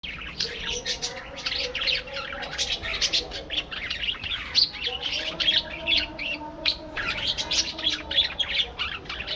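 Budgerigars keep up a busy chatter of rapid, scratchy chirps and warbles, dense and overlapping from start to finish with barely a pause.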